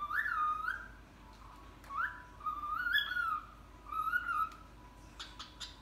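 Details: Pet cockatiel mimicking the phrase "Hare Krishna": three modulated, speech-like whistled phrases with rising and falling contours, separated by short pauses, ending in a few brief clicks. The room is quiet otherwise.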